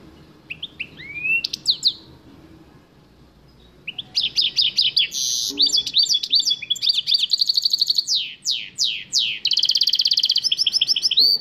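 A goldfinch mule sings a bright, fast song of twittering notes, rapid trills and sweeping whistles, with a short pause early on before it runs on continuously.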